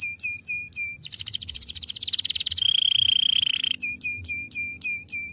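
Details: Canary training song: short hooked chirps repeated quickly, a dense buzzy trill, a steady high whistle, then the hooked chirps again in a regular series.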